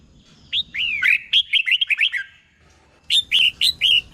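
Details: Red-whiskered bulbul kept in a cage in Thailand, singing a tutor song for training other birds, doubled phrasing: a quick run of liquid, looping whistles, a short gap, then four more clear rising-falling notes.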